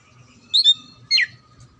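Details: Oriental magpie-robin, song played to prompt quiet or lazy birds to sing: two brief bright whistled phrases, a double note then a falling slurred one, with a faint steady hum beneath.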